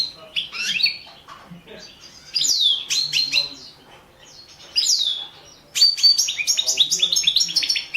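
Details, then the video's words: Competition song of a Balkan European goldfinch, carduelis balcanica: rapid liquid twitters and sweeping whistles delivered in several lively bursts. "World championship in Goldfinch Song 2017"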